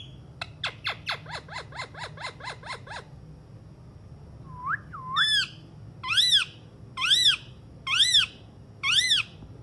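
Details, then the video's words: Alexandrine parakeet calling: a quick run of about a dozen sharp, descending clicks, then a pause, then loud, harsh, ringing squawks repeated roughly once a second, over a low steady hum. "alexandrine parrot talking"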